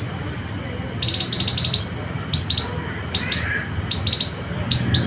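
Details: Citrine canary-flycatcher from West Sulawesi, a tutor song for training competition birds: short, high-pitched phrases of fast ticking notes ending in sharp upslurred whistles, repeated about every second against faint background noise.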